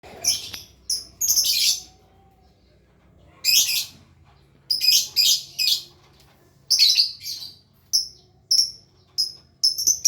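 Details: Lovebird learning the long trill known locally as ngekek: bursts of shrill, high chirps and short squeaky notes in irregular clusters, with quiet gaps between them.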